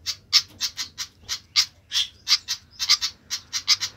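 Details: Noisy flycatcher: clipped, rasping notes delivered in uneven runs of two or three, about three per second, sharp and dry in tone against a quiet background.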